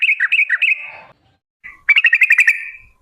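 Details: Lure song of a female trucuk, or Sooty-headed bulbul, in long 'ropel' style to get birds singing: a quick bubbly phrase, a pause, then a fast rattling run of whistled notes.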